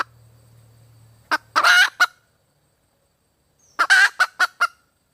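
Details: Wild red junglefowl hen: a cluck leading into a drawn-out nasal squawk and another cluck, a two-second pause, then a further squawk trailed by three quick clucks. A low hum fades out early.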